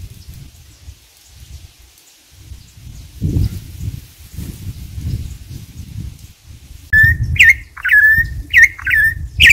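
A campo troupial sings loud, fluty whistles, each with a sharp upward flick, about four in quick succession. Low wind-like rumble fills the opening seconds.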